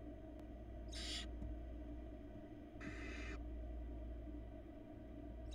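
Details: Nest-box barn owl chick in Florida, 2022, feeding itself small pieces. Two fainter, breathy hiss-screeches about two seconds apart, half a second long each, partly buried under a strong low-frequency hum, with a faint click.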